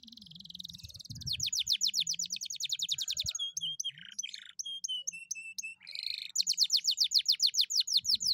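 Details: A canary, described as a vigorous, outstanding singer, sings a long, rapid song of high rolling trills and bright repeated chirps, shifting to a new phrase every second or two, over a faint low hum.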